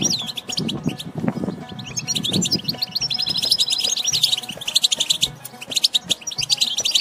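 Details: Batbata twittering of a European goldfinch, from nature: sustained stream of bright, rapid chirps and short trills with occasional buzzy notes; low thumping sounds during the first seconds, then a faint low hum.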